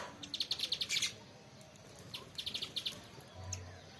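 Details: Sparrow chirping: a quick burst of about eight bright, high chirps in the first second, then quiet, then a second run of about six similar chirps near the middle, with a faint low hum underneath.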